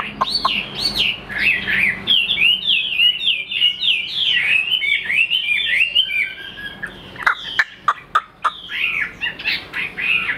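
A Chinese hwamei pours out a loud, rich run of varied whistled phrases, fast and high-pitched, broken near the end by a few sharp clicks.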